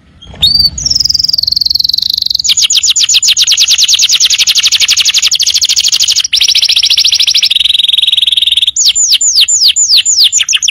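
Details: Canary tutor song for training untrained birds: a sharp rising note, a sustained high buzz, long rapid rattling trills at two pitches, then a string of arched falling whistles.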